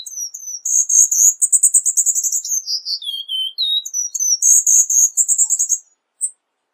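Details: Cuban bullfinch song: a very high, rapid trill of bright repeated notes that slides downward into a few lower whistled notes, then a second fast trill, with a brief final chip.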